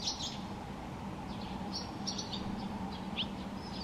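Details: Barn swallow by the Tama River giving sharp, high chirps and short twitters in loose bursts, with a constant low drone underneath.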